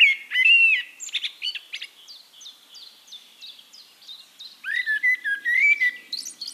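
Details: Eurasian blackbird in song at Castricum, Netherlands: a fluted opening with scratchy twitter, then a series of short high chips from another bird, followed by a fresh sequence of mellow warbled whistles.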